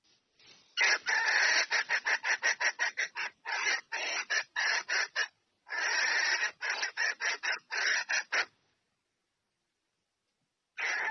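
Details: A red junglefowl hen calling a male to come and mate: harsh, rapid clucks, about three a second in two long runs, then silence before one more burst.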